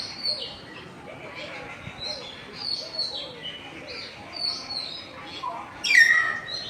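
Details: Common hill mynas among campus birds in afternoon light, 6 February 2024: a run of high chirps and whistles, ending in one loud piercing downslurred whistle near the close.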